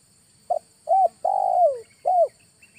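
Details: Spotted dove lure call used in August: a short double-pulsed note, then a mid-pitched coo, a long, loud coo that slides downward, and a final arched coo, all mellow and clear over faint low background noise.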